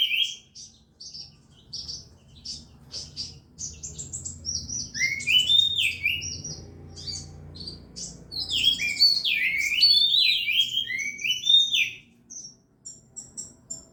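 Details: Oriental magpie-robin kept for contests singing a long varied phrase: scattered high chips and buzzy notes, rising whistled sweeps, a dense tumbling run of slurred whistles, then thin high ticking notes at the end.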